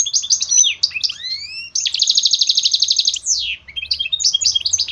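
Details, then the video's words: Goldfinch hybrid song used to support and train songbirds: twittering notes and rising slurred whistles, then a long rapid rattling trill, a sweeping descending buzz, and renewed bright twitters. "Lessons on motivation for the wise goldfinch mule bird"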